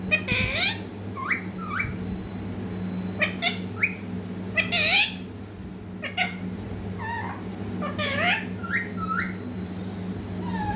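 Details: Baby green parrot, a pet said to talk, giving short squawky chirps and hooked rising-falling calls in scattered bursts, with a steady low electrical hum underneath indoors.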